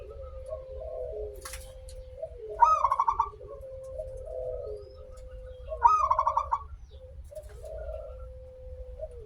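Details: Zebra dove, local type, singing as a lure for other doves: two rolling, stuttering coo bursts a few seconds apart, a long level lower whistle-like tone continuing underneath and a brief click partway through.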